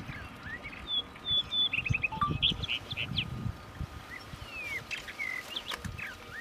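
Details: A juvenile rufous-tailed rock thrush gives short, high, thin whistles and quick chattering notes in scattered bursts, over a low rumble and a steady faint hum.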